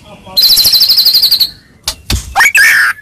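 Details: Medan white-rumped shama in full voice, used as a fighting lure to make rival shamas reply: a rapid high rattling trill, then harsh broad bursts and a loud rising whistle with a slurred ending.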